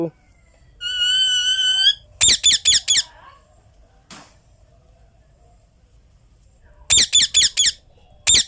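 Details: Indian ringneck parakeet indoors: a wavering whistled tone, then harsh, piercing screeches in rapid bursts of four or five, a pause, and another screeching burst; the words "me too" are spoken nearby.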